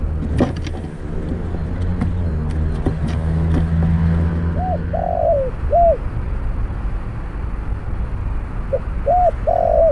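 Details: Spotted Dove cooing during a trapping session with a snare cage and decoy bird; low engine rumble and knocks fill the first half, then two rounds of short arched coos and a longer rolling coo in the second half.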